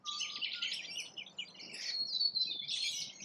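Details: Rainbow lorikeets feeding in Australia, a short burst of shrill, scratchy screeching and high chatter from several birds, with one brief low whistle at the start.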